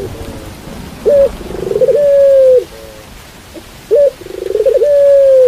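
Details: Pelung dove cooing with rain in the background: two drawn-out, mellow coo phrases, each opening with a short sharp note and then a long, level, slightly falling tone, over a steady hiss of rainfall.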